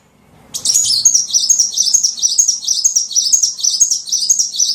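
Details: Small bird lure sound used to attract small birds: after half a second of near silence, a dense, unbroken stream of rapid, high-pitched chirps and twitters, fluttering in loudness, over a faint low hum.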